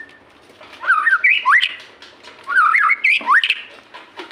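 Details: White-rumped shama song used as a lure to get captive shamas to sing: two bursts of rich, looping whistled phrases rising and falling, each about a second long, separated by a short pause, with a few sharp chirps mixed in.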